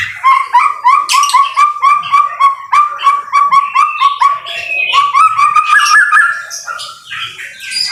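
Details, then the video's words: White-rumped shama in the rain, a vigorous singer used as a training recording: a rapid run of short, even whistled notes at a steady pitch, about three to four per second, then breaking into higher varied chirps and trills. "BIRD SOUND IN THE RAIN SUPER SPECTACULER / MASTERAN MURAI BATU GACOR"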